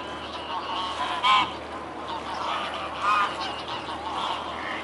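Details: Mute swans, Elbe river at Dresden, 17 May 2017, 14:48; two separate short honking calls about two seconds apart, with faint softer calls and steady outdoor background noise.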